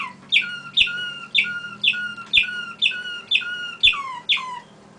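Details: Malinois (Waterslager) canary singing a steady series of clear whistled notes, each a bright upper note followed by a falling glide to a lower whistle, repeated about twice a second over a quiet indoor background.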